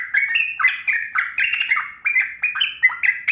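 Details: Trucukan kebo, a yellow-vented bulbul, singing its long, rapid 'ropel panjang' style meant to prompt quiet birds to sing: a nonstop stream of liquid, bubbling whistled notes rising and falling several times a second.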